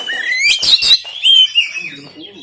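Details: Oriental magpie-robin from Banten, recorded by Android phone, a long rising whistle then a harsh buzzy burst and further slurred whistles, used to prompt a lazy caged bird to sing.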